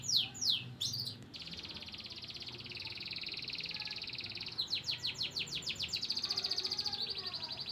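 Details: A white crested canary sings a long, high, rapid song, fast descending trills giving way to sustained rolling tours and quick repeated chirps.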